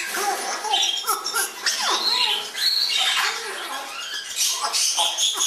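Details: Fledging Congo and Timneh African grey parrots indoors near Dallas, Texas, uttering overlapping squawks, rising and falling whistled calls and rasping chatter from several birds.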